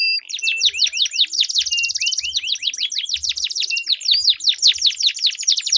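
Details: Canaries singing against each other in a long rolling duel song, a lure for stalled canaries: continuous high rapid trills and sweeping whistled notes, several voices overlapping throughout.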